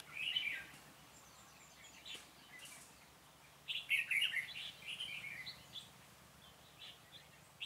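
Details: Red-whiskered bulbul song recorded during trapping of a stubborn wild bird with a decoy, 26 February 2018: bright warbled chirping phrases, one short burst at the start and a longer run of rich, rolling notes midway, over a quiet background.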